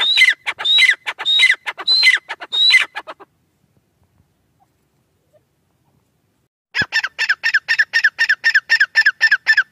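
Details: Francolin calling: a run of harsh phrases, each opening with a thin high whistle before grating notes, then over three seconds of silence, then a fast string of rasping, evenly spaced notes.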